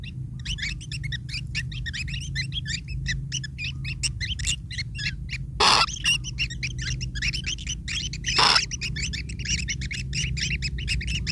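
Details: Long-tailed shrike nestlings begging while a parent feeds them, a continuous scratchy squeaking chatter broken by two brief loud bursts of rustling.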